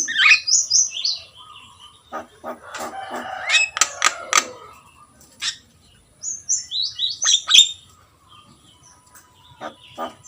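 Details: Javan myna (jalak kebo) in lively song: a burst of high whistled notes, then rapid clicking chatter, then another run of whistles, with brief pauses between phrases.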